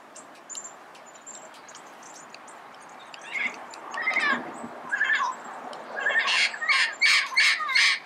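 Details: Red-crowned amazon heard in the early morning in Pasadena: faint high ticks at first, then squealing calls building into a run of rapid, loud, harsh squawks near the end.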